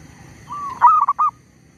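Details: A decoy zebra dove luring wild birds for trapping, not scared off by a tree squirrel. A single phrase: a soft level coo, then a loud sharp note followed by three quick broken coos.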